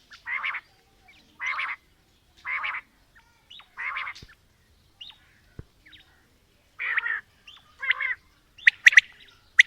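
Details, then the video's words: Quail calling, female and male: a series of soft, husky, buzzy notes about one a second, with sharper clipped notes near the end. "Female Batair Calling | Male Batair Sounds | Mix Calling| Batair Ki Awaz | Batair Ki lambi Awazay|"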